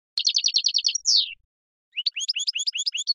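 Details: Caged Major-type European goldfinch giving a fast series of about eight chirped notes ending in a descending buzzy slur, then after a pause a run of quick rising twitters.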